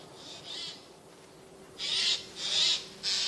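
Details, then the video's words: Hidden in spruce trees, Eurasian jays utter a softer double rasp followed by three loud, coarse screeches in close series, recorded 13 September 2024. "Голоса соек"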